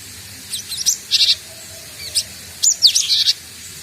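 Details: Young cinereous tit practising calls mixes squeaky chirps with short buzzy rasping notes in two uneven clusters.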